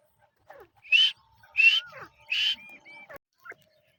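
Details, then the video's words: Male Deccani grey francolin (teetar) calling: three loud, harsh, rising notes about 0.7 seconds apart, with thin whistled tones running underneath and a faint softer note after. "دکنی نرتیتر کی خوبصورت آواز"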